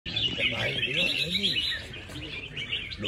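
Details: Red-whiskered bulbul kept for singing competitions, described as performing beautifully and never having missed a prize; rapid, dense chattering of bright whistled notes with quick up-and-down slurs, over low background murmur.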